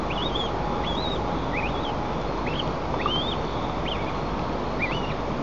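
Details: White-tailed eagles at their nest, 35 m up, in Nizhnyaya Kama National Park, Russia, on 2 May 2024 at 11:25: seven thin, whistled notes that rise then drop, spaced about 0.7 seconds apart, over a constant loud rushing background.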